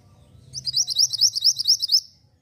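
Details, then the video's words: Javan white-eye singing energetically, recorded as a tutor song for training other birds: a fast run of about ten bright, high, sharply rising chirps, evenly spaced over roughly one and a half seconds, with a faint low hum beneath. "Burung Mantenan Gacor Volume Bening Ampuh Untuk Masteran"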